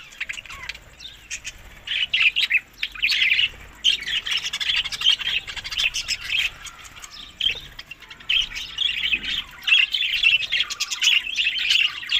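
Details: Budgerigars eating summer food, May to June, tagged Larkana, Sindh; soft continuous warbling chatter sits under frequent crisp clicks and rustles.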